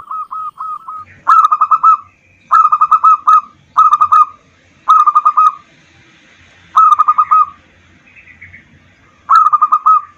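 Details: Local zebra dove song as a lure to stimulate other birds: short bursts of four or five quick, bubbling coo notes, repeated every second or two with quiet gaps between.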